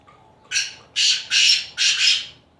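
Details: Black francolin, known locally as kala teeter, recorded in Khushab: a loud, harsh, grating call of four rasping bursts, the last two doubled, delivered in about two seconds.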